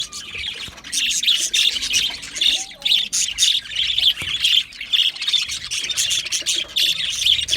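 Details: Budgerigars in an aviary, Australian budgie parrots chirping together: dense, rapid high-pitched chatter and squawky chirps overlapping continuously, about two calls per second, lively flock noise throughout.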